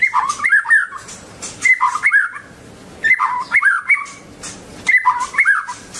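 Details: White-rumped shama singing: the same phrase of varied whistled notes, first falling and then rising, repeated four times at intervals of about one and a half seconds.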